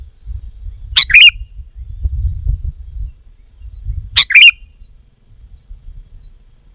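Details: Short bright phrases of a sooty-headed bulbul, described as a vigorous singer, sound about three seconds apart, each a sharp note followed by a brief bubbling warble, with soft low background rumble between.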